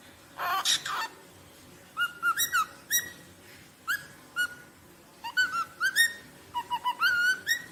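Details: Rosella song of quick rising and falling whistles, often doubled or tripled in fast phrases, opening with a loud harsh burst, all against a constant hissing background.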